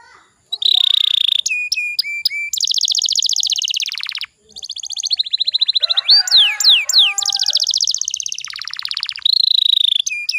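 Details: Canary song played as a lure to get young canaries singing quickly: loud, fast trills and rolling repeated notes, sweeping whistles and buzzy rattles, high-pitched, with brief pauses between phrases.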